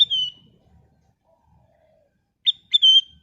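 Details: Sooty-headed bulbul of golden colour, song used as a lure for other birds: a bright falling whistle, a long quiet gap, then a sharp note followed by a longer sliding whistle.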